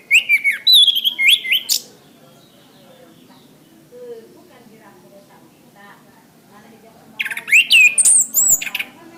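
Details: Orange-headed thrush song, a recording used to tutor caged birds: two bursts of rapid, varied whistled phrases with slurred rising and falling notes, separated by a quiet stretch of about five seconds with a low background hum.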